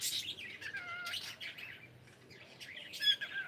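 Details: Cockatiel kept as a pet, saying good morning: bursts of raspy chirping open and close the passage, with a few thin sliding whistles between them and a quieter pause in the middle.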